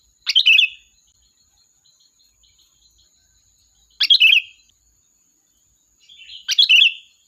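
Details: Lure recording of a sooty-headed bulbul calling its flock: three short bubbly whistled phrases spaced a few seconds apart, each a fast chirp cluster ending in a smooth falling note, with faint soft notes between them.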